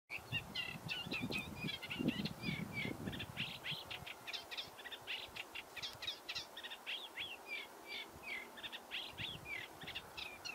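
A sedge warbler sings a long, hurried stream of chattering, churring and sharp whistled notes with no break. Low rumbling wind or handling noise comes through at the start.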